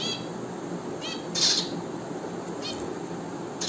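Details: Finch with repeated brief nasal calls, one louder and harsher, spaced about a second apart over background hum.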